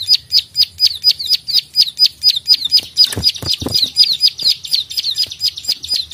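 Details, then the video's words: Prenjak sawah (plain prinia) in energetic fighter mood, clicking for songbird training: steady sharp high klik notes around two per second, with a few soft knocks or wing sounds midway. "prenjak klik gacor fighter narung"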